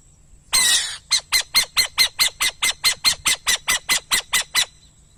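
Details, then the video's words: Burrowing owl: a brief noisy burst, then a steady run of harsh, rasping notes about four per second, roughly fifteen in a row. "som da coruja de buraco"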